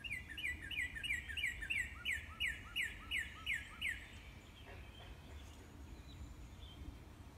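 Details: Northern cardinal in a backyard singing its morning song: a quick, even run of about a dozen clear, slurred whistles over four seconds, then falling quiet against a soft outdoor background.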